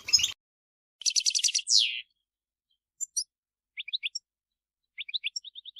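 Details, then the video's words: European goldfinch in the field, calling to others of its kind: after a brief noisy burst, a fast buzzy twittering trill with a falling slur, then scattered high chirps and short clipped note series. "𝗘𝗦𝗧𝗜𝗠𝗨𝗟𝗔𝗥 𝗠𝗢𝗧𝗜𝗩𝗔𝗥 𝗝𝗜𝗟𝗚𝗨𝗘𝗥𝗢𝗦 𝗔𝗥𝗥𝗔𝗡𝗖𝗔𝗥 𝗔 𝗖𝗔𝗡𝗧𝗔𝗥 𝗝𝗜𝗟𝗚𝗨𝗘𝗥𝗢𝗦 𝗣𝗜𝗧𝗢𝗥𝗥𝗘𝗢 𝗬 𝗟𝗟𝗔𝗠𝗔𝗗𝗔𝗦 𝗗𝗘 𝗝𝗜𝗟𝗚𝗨𝗘𝗥𝗢 𝗖𝗔𝗗𝗘𝗥𝗡𝗘𝗥𝗔"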